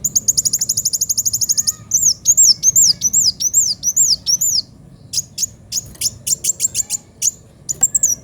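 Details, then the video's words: Kolibri wulung, a sunbird, in full vigorous sharp song: a fast even trill of high clipped notes, then a string of looping whistled up-down slurs, followed by spaced thin ticks and rapid chip bursts. "Kolibri wulung gacor suara pedes"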